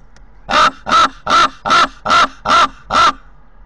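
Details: A raven visits a nest in Corbera de Llobregat, Barcelona, recorded by a nest camera. After a quiet start, seven harsh, evenly timed croaks follow, roughly two and a half per second.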